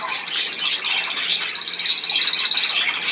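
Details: Budgerigar warbling: a long, thin, high whistled line runs through the recording over fast, buzzy chatter pulsing several times a second.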